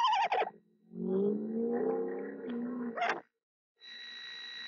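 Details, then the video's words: Screech owl female on her eggs, singing softly to them in late March; a short quavering descending note opens, followed by a lower, longer purring rise, then a constant background hum. "Mother Screech Owl Sings To Her Eggs"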